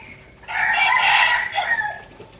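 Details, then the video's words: Red junglefowl decoy rooster crowing: one strained, hoarse crow lasting under two seconds that rises, holds and breaks off in a short trailing syllable, over quiet background hiss. "giọng gáy của gà rừng mồi"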